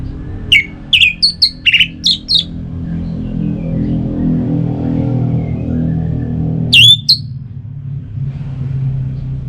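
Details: {'caption': 'Orange-headed thrush song played to coax kept birds into singing: a quick run of short whistled notes, then a pause and one sharp slurred whistle, over a steady low hum.'}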